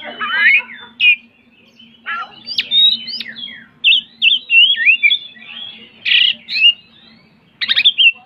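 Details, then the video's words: An Oriental magpie-robin sings in loud, varied bursts of clear whistles, slurred notes and harsh scratchy phrases, with short pauses between them, over a low steady hum. "Suara Kicauan Terbaik Kacer"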